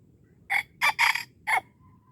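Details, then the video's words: Red junglefowl in the wild at Darul Kamal, Aceh, crowing while being lured. Four rasping syllables come in quick succession, the third drawn out longest, then the call stops abruptly over low rural background noise. "AYAM HUTAN Aceh"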